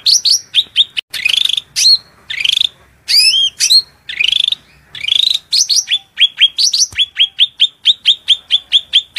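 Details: Shrill cucak rante master song for training competition birds, mixing rising slurred whistles and buzzy bursts before settling into a fast string of crisp high notes repeated more than twice a second.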